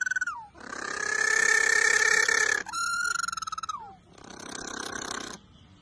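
A Galapagos penguin gives loud, harsh braying calls in long drawn-out blasts, with a pulsed, donkey-like rasp between notes and brief falling whistles.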